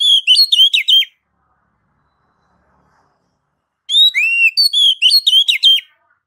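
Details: Kacer (oriental magpie-robin) ngeplong song used to draw other kacer into song: a one-second run of quick ringing whistles, about three seconds of silence, then a longer varied whistled phrase.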